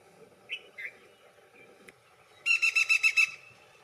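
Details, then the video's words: Black-rumped flameback giving two short chirps and a sharp tick, then a fast, strident volley of about seven harsh repeated notes lasting under a second, rattling and laugh-like, against a quiet background. "The black rumped flameback (Dinopium benghalense) Call-Sounds-Voice"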